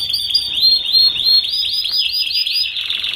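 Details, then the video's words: Master song of a paud canary for young group-kept canaries learning to sing; a steady chain of rising, slurred whistles roughly three per second, finishing in a harsh buzzing roll. "Kicauan Kenari Paud Untuk Pemasteran Kenari Muda Ombyokan Agar Cepat Bunyi!"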